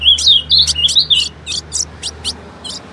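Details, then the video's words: Female ultramarine grosbeak, sung to get males singing: looping, buzzy-edged whistled notes in quick succession that thin out into separate high chips. "CANTO DO AZULÃO FÊMEA"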